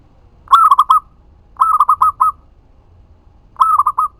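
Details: Local zebra dove song used as a lure so other doves answer: three bubbly cooing phrases about one to two seconds apart, each a held note broken into several rapid rolling coos.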